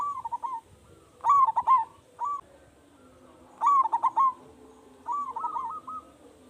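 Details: Zebra dove, a local big-voiced bird singing as a lure so other zebra doves start up; bubbling, stuttered coo phrases, loud bursts at intervals of one to two seconds with softer notes between.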